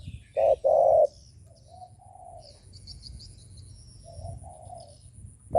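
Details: Spotted dove cooing, played to provoke and lure other doves: two loud, low, hollow coo notes near the start, then softer, lower coos, with faint high chirps from other birds in the background.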